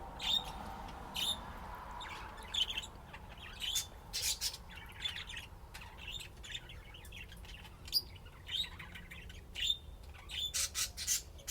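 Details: Pet budgerigars playing, with a steady patter of high chirps, brief whistles and raspy broadband notes spread evenly over the recording.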